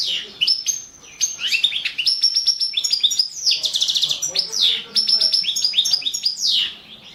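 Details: Competition recording of a Balkan goldfinch for the 2017 World Championship in Goldfinch Song: continuous energetic twittering, with rapid ticking trills, rising and falling chirps and brief buzzy passages throughout.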